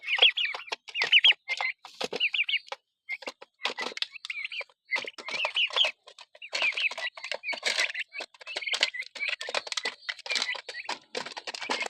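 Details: A flock of six-week-old heritage turkeys eating, producing continuous overlapping high peeps and trilled chirps roughly once a second, mixed with clucking notes and scratchy feeding noise.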